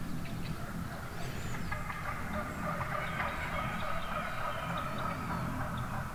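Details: Wild turkey hens in a large flock at dawn in the woods, giving a busy stream of overlapping yelps and clucks above a constant low rumble.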